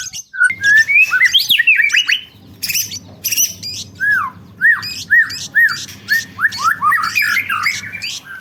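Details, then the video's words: White-rumped shama (murai batu) song used as a lure to make other birds sing quickly: loud varied whistles, harsh squawks and buzzy bursts, then a run of repeated downslurred whistled notes, with low room hum behind. "PANCINGAN MURAI BATU AGAR CEPAT BUNYI BONGKAR ISIAN"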